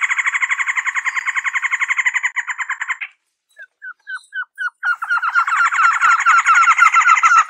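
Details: Trogon calls in rapid, rattling runs of clipped notes, broken by a short pause, then a few separate hooked notes that speed back up into another dense rattling series.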